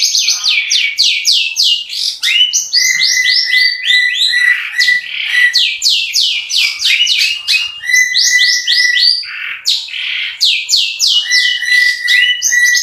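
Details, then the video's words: Long-tailed shrike in fast 'tembakan roll speed' song: dense runs of loud, down-slurred chirps interwoven with a sustained steady whistle that returns several times. "BURUNG CENDET GACOR MEWAH ISIAN KASARAN DAN TEMBAKAN ROLL SPEED"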